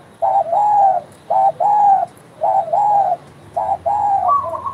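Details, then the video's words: Spotted dove in full voice, giving soft hooting coos in paired and grouped notes, each phrase gently dipping at the end, spaced about a second apart, ending with a higher trilled phrase; low background hum. "derkuku gacor bekur bekur"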